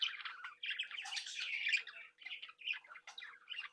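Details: Several captive budgerigars from a home breeding flock chattering happily; continuous overlapping warble of scratchy chirps and tweets with almost no gaps, moderately quiet throughout.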